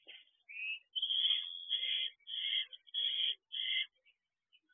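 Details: Barn owls at a nest box with an adult female, adult male and owlets, recorded at 5:18 am on 9 June 2023: six harsh, rasping hiss bursts of about half a second each over four seconds, otherwise silent.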